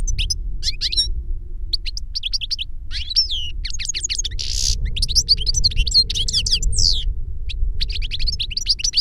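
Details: Two European goldfinches, a master reclamo singer and a novice taught from a CD of its song, sing together. Dense, continuous high twittering with sliding whistles and a brief hissing buzz over a low background rumble.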